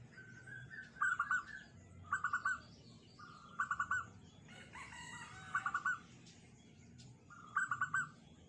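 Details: Zebra dove singing a small, tight, unique song: five short cooing phrases of rapid staccato notes, each about half a second, spaced roughly every one to two seconds, over low background hum.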